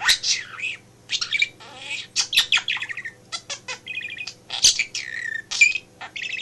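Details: Male budgie kept indoors as a pet, talking in a home office while its owner works; continuous warbling chatter mixing buzzy trills, whistled notes and sharp clicks over a low hum.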